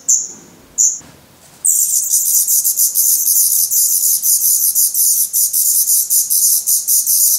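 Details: Hungry, fast-growing, already feathered black redstart nestlings in a nest in Portugal give a high, hissy begging chorus in rapid pulses, several per second and almost unbroken, after two brief opening bursts; 17 May 2020.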